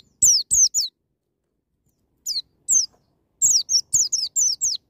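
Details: White-eye singing the loud wild 'ngalas' style used to trigger young birds: sharp, high, downward-sweeping notes in a quick trio, two spaced notes, then a rapid string of about seven.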